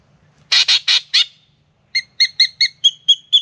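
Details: Spangled drongo singing in the morning at a backyard birdbath in Australia, coming for a drink. Four loud, scratchy rasps are followed by a steady string of clear, bell-like metallic notes.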